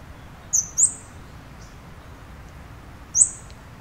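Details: Tiny scarlet-backed flowerpecker giving piercing, high-pitched tchik calls, two in quick succession then a third after a pause of over two seconds, clean against soft low-frequency background noise.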